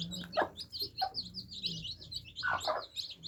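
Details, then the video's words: Many baby chicks peep in quick, high, slurred chirps while drinking water, interrupted by sharp knocks early on and a loud double burst near the end, over a faint low hum. "Adorable Baby Chicks Quenching Thirst Chicks Sound Effects For Kids"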